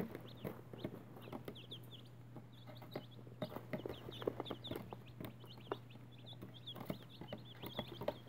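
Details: A brood of Easter 2018 chicken chicks, newly hatched, keeps up rapid high-pitched cheeping, many overlapping chevron-shaped peeps, with a steady mechanical hum underneath and sharp intermittent tapping sounds.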